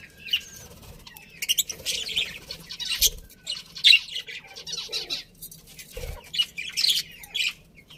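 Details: Budgerigars in a colony chatter almost without pause, with harsh high chirps and squeaky notes overlapping in irregular bursts and a few soft thumps underneath.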